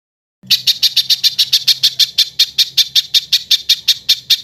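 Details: Bird 'tembakan kasar' burst sequence used to tutor cage songbirds: after a brief silence, a string of loud, raspy high notes rattles out at a quick, slightly uneven pace over a soft low hum.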